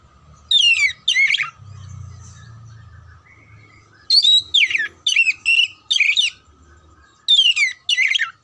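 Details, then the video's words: Repeated bursts of oriental magpie-robin song used to ready contest birds: sharp downward-sweeping whistled phrases in groups, with pauses and a low steady hum beneath. "TERAPI SUARA KACER KHUSUS BUAT MELATIH MENTAL KACER SIAP LOMBA"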